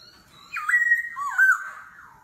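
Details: Laughingthrush singing in forest-voice style in a singing duel: two smooth, mellow whistled phrases, the first a rising then level tone, the second dipping and turning upward, in quiet surroundings.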